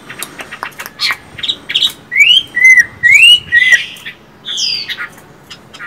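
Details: Caged Chinese hwamei song: short chirps building into loud whistled phrases that rise and fall, bright and ringing with strong overtones, a rapid string of varied notes ending in a falling slur.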